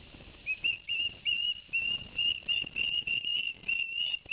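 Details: At Barnegat Light, New Jersey, on 11 September 2021, an osprey on a live nest camera gives a run of roughly eleven sharp whistled notes, short and bright, after the male brought two fish for the young.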